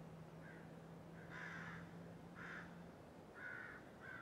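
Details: Crows squawking from an oak tree outside a house, 12/11/2017; four or five loud, rasping caws spaced about a second apart over a steady low hum.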